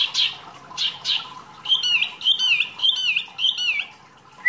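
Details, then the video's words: Small wambi in active song, used as masteran material for training songbirds: three husky high notes, then a series of clear whistled phrases with ringing overtones, each repeated roughly twice a second. "wambi mini gacor materi mewah"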